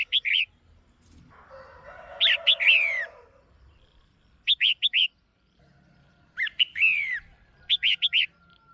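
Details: A caged female red-whiskered bulbul calls loud and clear to excite a male or to pair: short groups of three bright notes alternate with chirpy phrases ending in slurred whistles, with a soft rustling noise early on.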